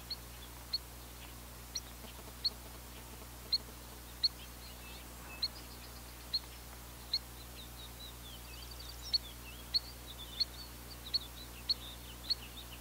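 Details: Spotted sandpiper giving a long series of short, sharp high peeps, roughly every half to one second, with faint twittering from other birds in the background and a constant low hum.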